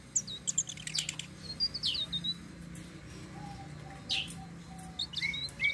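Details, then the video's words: Flowerpecker in rolling song, a lure for other birds: high sharp chips and falling twitters in quick bursts, separated by short pauses, closing with brief rising whistled notes. "BURUNG TLEDEKAN SITRUN SELENDANG BIRU NGEROLL||BISA BUAT PANCINGAN"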